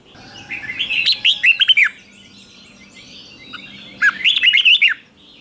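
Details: Red-whiskered bulbul in a clean, noise-free lure song for calling wild birds: two separate bursts of fluty, tumbling chirped notes about three seconds apart, with near silence between them.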